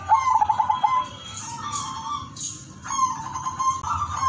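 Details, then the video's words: Perkutut song from a silver Udan Mas zebra dove, meant as a lure for other doves. A quick pulsing trill gives way to a pause, then smooth prolonged cooing, against a steady background hum. "perkutut udanmas silver gacor irama merdu jadi pancingan semua perkutut"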